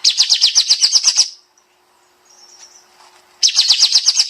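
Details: Pied Triller (kapas tembak) master song in the tight 'nembak' style: an even, rapid trill of about ten high bright notes, a pause of faint soft twittering, then the trill resumes.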